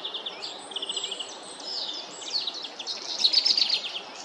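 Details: Black redstart (Phoenicurus ochruros) singing: a quick run of repeated high, even notes, then scratchy, crackling high phrases rising toward the end, with other birds faintly twittering behind.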